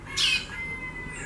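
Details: A female White-bellied seedeater, known as chorão, gives a single harsh, rasping squawk-like note lasting a fraction of a second, while a quiet low hum continues underneath.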